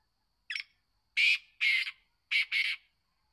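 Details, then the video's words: Young kept black francolin, a male roughly one to one and a half years old, calls loudly: a short scratchy lead note, then two paired rasping, buzzy bursts, the pattern rising in intensity, against a quiet background. "kala teeatar ke awaz|kalateeaar|back francoline voice"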